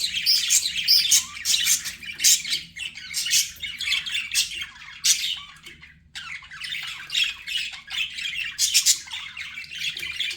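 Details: Pet budgerigars in steady, scratchy, high-pitched chatter, dense squawky bursts repeating irregularly, with a brief pause near the middle before the chirping resumes.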